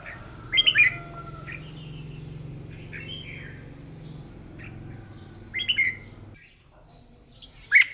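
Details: Caged red-whiskered bulbul at a morning voice-training session; brief liquid warbled phrases at about five-second spacing over a steady low hum.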